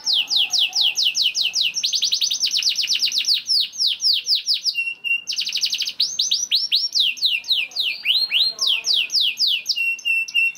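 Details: Young canary in full song, used as a lure so that other canaries sing. Fast rolling chirp sequences and buzzy bursts are broken up by bright swooping whistles that repeat several times per second.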